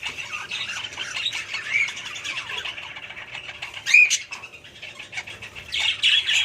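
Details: Budgerigars twittering softly, broken by a sharp clear whistle near the middle and a burst of loud chirps at the end.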